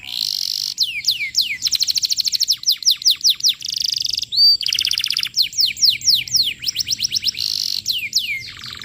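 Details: Canary in full, vigorous song, a lure song for training young canaries: fast high trills, runs of sharply falling whistled notes and buzzy rattling series in quick succession, broken by a short pause near four seconds, with no other sounds.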